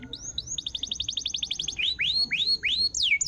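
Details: Canary singing, used to prompt a canary that has stopped singing: a rapid run of repeated upswept notes, then slower loud rising whistles about three per second, ending in a sharp falling note.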